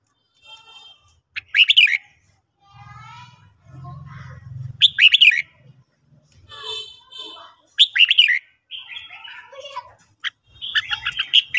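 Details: Red-whiskered bulbul singing in the morning, with repeated brief warbling phrases among other chattering bird notes and low background murmurs, possibly voices, between phrases.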